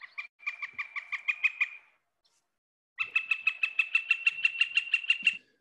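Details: Northern Flicker, a winter bird in South Carolina, giving two fast runs of loud, ringing, evenly pitched notes, about six per second, the second run longer and steadier. No other sounds intrude.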